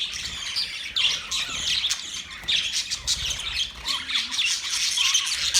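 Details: Birds chirping, recorded October 3, 2023: continuous overlapping high squawks and chatter from a crowd of birds, loud and busy throughout, with occasional lower scraping notes underneath.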